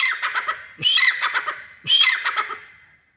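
Grey francolin giving loud, harsh, ringing phrases about once a second, each a rapid scratchy burst that trails off.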